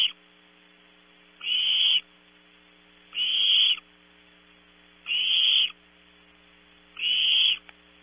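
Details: Owlets of barn owl, Audubon Starr Ranch in California, competing at night for a prey item; four regular hoarse hisses, spaced nearly two seconds apart, each flat and sustained, over a low steady hum.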